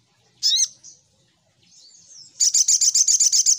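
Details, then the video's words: Little spiderhunter lure call: one loud sharp down-slurred chip, a soft thin trill, then a fast even series of about ten high, buzzy chips. "Suara Pancingan Burung SogokOntong"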